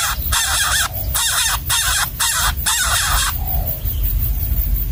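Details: Hungry baby bird fed a gecko by its parent inside the nest, five rough, hoarse begging rasps in quick succession, then the calling stops and only low background noise remains.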